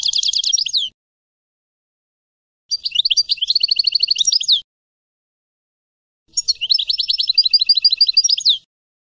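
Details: Three bursts of European goldfinch song separated by silences, each a rapid series of pulsed, tinkling twitter notes lasting one to two seconds.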